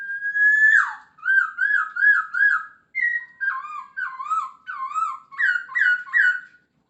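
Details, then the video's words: Masked laughingthrush singing a busy, varied song full of fills: a long level whistle falling away, then runs of wavy, looping whistled notes repeated three or four times each, about two per second, in a quiet setting. "Poksay Hongkong gacor full isian dijamin langsung nyaut"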